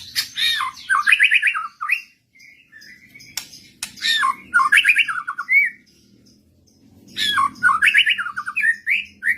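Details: White-rumped shama singing insistently in reply to another bird: loud bursts of rich, varied whistles and rapid chattering notes, in three phrases separated by short pauses, with faint low hum beneath.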